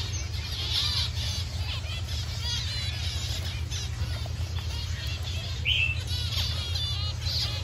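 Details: Captive breeding Paddyfield pipits, recorded on 31 October, calling with thin, high chirps and short sharp notes, repeated throughout over a steady low hum and other chirping birds.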